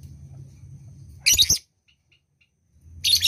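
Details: Lovebird in breeding condition giving a harsh, high rasping chatter burst, silence, then the burst begins again, with a low hum in the background.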